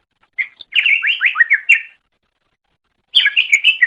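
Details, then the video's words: Greater green leafbird (cucak ijo) song, a master recording for training songbirds: a quick run of bright, warbled, slurred chirps rising and falling, a pause of about a second, then another lively burst of varied twittering notes. "Ocehan Suara Burung Cucak Ijo"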